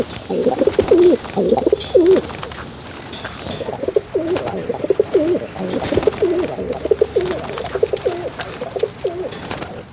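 Pigeons coo in low, throaty, rolling phrases, several overlapping and repeating steadily through the clip, with faint room noise behind.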